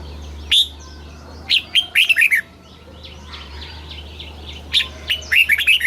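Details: Red-whiskered bulbul kept in a cage, delivering southern master-style song to excite caged birds and train young birds. A single chirp, then two loud, quick phrases of ringing, slurred notes with soft calls behind.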